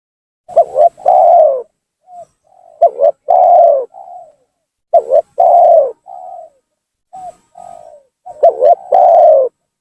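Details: Spotted dove calling as a lure to draw down and anger rival doves: four repeated cooing phrases, each two quick low notes and a drawn-out hoarse coo with a soft trailing note, roughly every two seconds.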